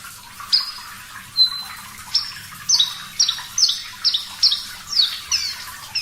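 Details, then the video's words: Javan bush lark singing strongly in a clear voice, a master track for training cage birds: scattered high whistles that build into a regular series of paired downslurred chirps about every half second. "Masteran Branjangan Parva Gacor Suara Jernih, Terapi Air"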